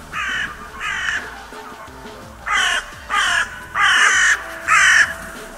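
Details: Crows at the Steinrevier feeding site, recorded live on 6 January 2022: harsh, hoarse caws in two loose bouts, two calls, a pause, then four louder ones in quick succession, over a faint steady background hum.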